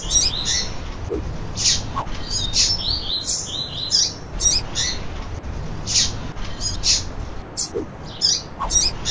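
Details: A female double-collared seedeater calls persistently, used to stimulate males into song. It gives a steady run of short, high, sharp chips and twittered notes, with a low background hum throughout.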